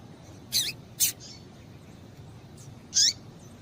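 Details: A female double-collared seedeater calls to stimulate a male: two quick high chirps half a second apart, a pause, then a single brighter downslurred chirp.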